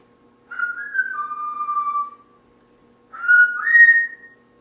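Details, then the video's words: Timneh parrot, a small pet bird kept indoors and known for talking, giving two clear whistled phrases: the first steps down from a higher note to a lower held tone, and the second rises after a short pause. "The Talking Timneh"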